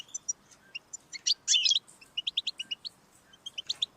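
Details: European goldfinch singing, offered to stimulate a pet's song: spaced tinkling chirps, a short loud buzzy rasp, then evenly paced twittering notes.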